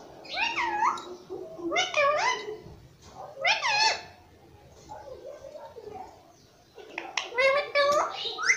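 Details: A pet ringneck parrot repeating "mummy papa" indoors: short raspy, speech-like phrases about every second or two, a quieter murmured stretch, then a final louder burst of words.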